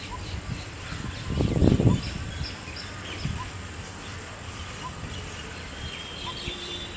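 A coppersmith barbet gives soft, hollow single 'tuk' notes about once a second, with faint high chirps from other birds and low rumbling wind or handling noise.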